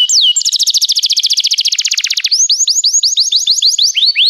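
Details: Canary song for training young canaries: a dense, rapid rolling trill lasting about two seconds, followed by repeated rising upswept whistles.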